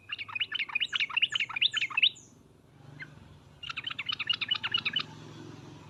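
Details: Sooty-headed bulbul lure call, 'ngriwek uplik uplik', to make birds answer: two long bursts of quick repeated chirps separated by a single note, with thin downslurred whistles above and a steady low hum behind.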